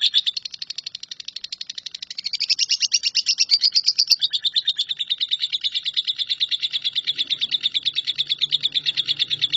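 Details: Long 'nyambung kuntilanak' trill from a Lovebird, offered as tutor song for shrikes: almost ten seconds of nonstop rapid chirping, pitch lifting briefly around the middle before settling, one sharp click midway, faint low hum near the end.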